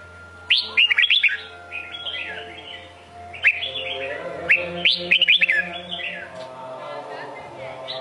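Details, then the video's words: Red-whiskered bulbul, Sông Kôn type, sings two energetic phrases a few seconds apart, each a sharp upward note tumbling into a quick series of rich, rolling whistles, with quieter warbling and steady hum between. "Chào mào sông kôn hót cực hay cực đẹp"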